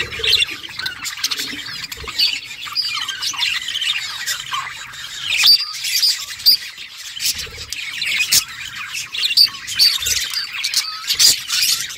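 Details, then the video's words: Several budgerigars at play keep up a steady high twittering chatter, punctuated by short sharp squawks and clicks every second or two. "Budgies playing with each other birds chirping sounds"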